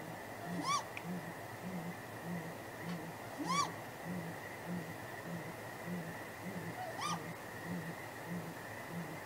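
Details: Great grey owl pair calling at their nest after dark on 23 April 2019: a steady run of deep, soft hoots roughly twice a second, broken by three higher, sliding wail-like calls spaced a few seconds apart, over a faint hum.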